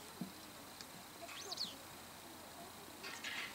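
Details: A white wagtail on a rooftop in the evening gives a couple of quick, high, sharp chirps, then a brief scratchy note, over faint background hiss.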